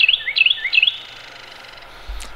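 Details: A Carolina Wren (Thryothorus ludovicianus) sings three quick, loud, rolling whistled phrases in a steady rhythm, then falls silent before a brief soft knock; recorded in January on a creekside walk in Cabarrus County, North Carolina, USA.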